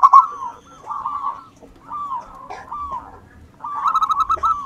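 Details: Local wild zebra dove, a lure bird in active song. A series of soft, slightly falling coos repeats steadily, then a louder quivering phrase closes the passage over faint low background noise.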